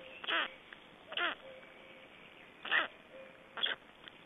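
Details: Black storks at a nest in Estonia, 25 May 2012, at feeding time: four loud nasal squawks, each dropping in pitch, spaced one to one and a half seconds apart.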